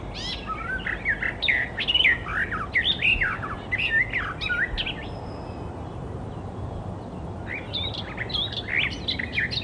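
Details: Wild Icterine Warbler singing: varied, fast warbled phrases of slurred whistles and squeaky notes, a pause with a thin sustained tone, then the song resumes, over steady low background rumble.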